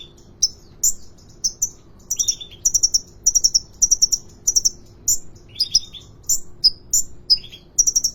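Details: Actively singing caged sunbird, bird market in Depok: lively stream of thin high chirps in clusters, mixed with short downslurred whistles a little lower in pitch, nearly continuous with brief gaps, faint background hum.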